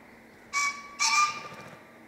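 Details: A green (Japanese) pheasant, or kiji, cries with two loud, harsh, strident notes about half a second apart, the second slightly longer, against a quiet background.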